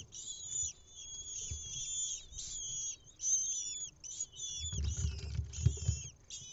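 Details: Lesser kestrel young on a nest camera in Israel, 6 May 2021, begging as the mother feeds them an insect; piercing, drawn-out squeals in repeated bursts, then loud scrabbling and thuds from the nest toward the end.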